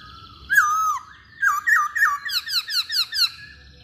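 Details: Chinese hwamei singing: a loud, drawn-out whistle, then varied slurred notes turning into a rapid string of sharp, descending, harmonically rich notes.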